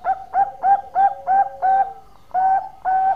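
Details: Zebra dove singing loudly, with throaty, punchy coo notes repeated about three times a second, a brief pause, then two more strong coos.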